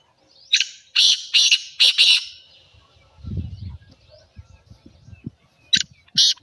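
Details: Black francolin calling to trigger replies from other francolins: a loud burst of four rasping notes early on, a low rumble midway, then two more sharp harsh notes at the end.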